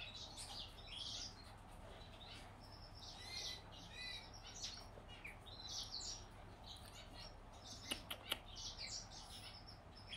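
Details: Hand-fed baby Gouldian finch of the yellow-backed form gives rapid, hissy high chirps in uneven bursts over ten seconds, with a few sharp clicks near the end and a constant low hum.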